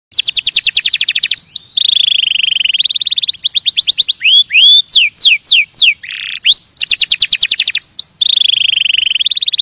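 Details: Canary singing to stimulate other birds: rapid rolling chirp trills alternate with buzzy sustained passages and a run of loud upward-sweeping whistled notes, then the fast trills return; clean, close recording with no other sounds.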